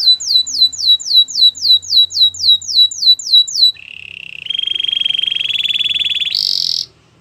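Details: Canary singing a training song meant to coach other canaries: a rapid series of bright, falling whistled notes, then a low buzzing roll, a long steady higher trill and a brief high rattle to finish.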